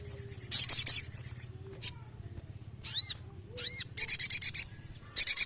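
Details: Sooty-headed bulbul singing actively, offered as therapy for listless birds: bright high trills and short rattling bursts mixed with arched, bowed notes carrying stacked overtones, over a low background hum.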